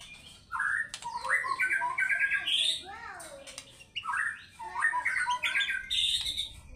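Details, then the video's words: White-rumped shama singing energetically in fighter style and unloading its repertoire: loud slurred whistles and rapid stuttering phrases, rising and falling, in two bursts separated by a short pause. "MURAI BATU GACOR FIGHTER BONGKAR ISIAN"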